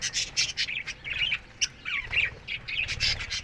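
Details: Budgerigars chirping in an aviary in the morning: fairly sparse, separate squeaky chirps and short warbled notes, some sliding downward, from several birds, softer than a full chorus.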